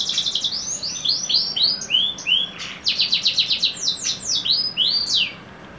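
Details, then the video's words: Canary song made of quick repeated chirping notes and falling whistled slurs, delivered in fast rhythmic bursts, loud and clear against a quiet background. "KENARI TRAH YS X SF MEWAH"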